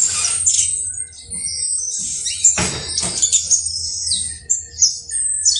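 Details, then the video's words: Saffron finch, locally called canario basto criollo, singing: high chirps and short whistled notes, some sharp downslurs, broken by a few loud broadband bursts, over a steady low hum. "UN CANTO INCREIBLE DE CANARIO BASTO CRIOLLO"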